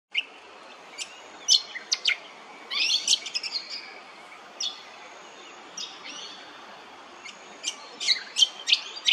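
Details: Brown honeyeater recorded at Hervey Bay, Queensland: bursts of sharp high chirps and quick sweeping notes, grouped near the start, in the middle and toward the end, with quiet gaps between them.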